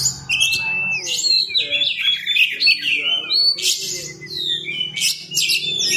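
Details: Oriental magpie-robin singing as a lure to provoke other birds into responding: a varied jumble of rich whistled and scratchy phrases with sharp high bursts, over a steady low hum.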